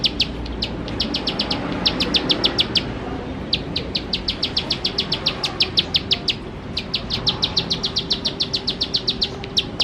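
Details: Bar-winged prinia (ciblek sawah) singing in the lively 'gacor nembak-nembak' style, used as a lure to get birds singing: rapid bursts of sharp, high ticking notes, each burst several notes long, with brief pauses between runs.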